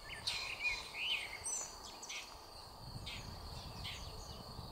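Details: Red-backed shrike (Lanius collurio) at Ljubljansko Barje, Hauptmanca, Ljubljana, May 20, 2023, giving short harsh notes about once a second, mixed with thin whistled chirps, over steady high insect hum.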